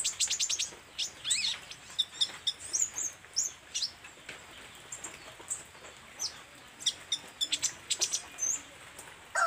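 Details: Vigorous song of an olive-backed sunbird: a fast rattle of high ticks opens, then sharp squeaky phrases and short high trills come at irregular intervals.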